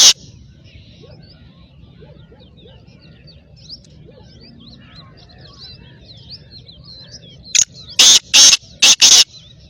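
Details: Black francolin calling: after a quiet stretch of faint distant chirps from other birds, a loud burst of harsh, grating notes comes in a quick run of four or five.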